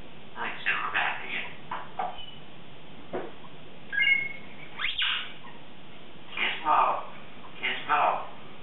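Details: Indoors at the start of the day, a 3.5-year-old female Congo African grey parrot chatters and rehearses words: rapid strings of word-like syllables, a brief whistled note near four seconds, a sharp rising squeak, then louder mumbled phrases.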